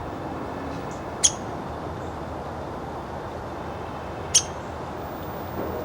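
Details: Female Downy Woodpecker calling at her nest box before going in to sleep: two sharp, high single pik notes about three seconds apart over a steady low background hum.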